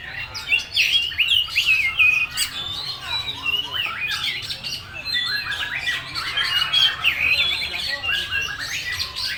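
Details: Kacer (oriental magpie-robin) "full materi" song, a busy jumble of harsh squawky chips and quick twitters, continuous and fairly loud.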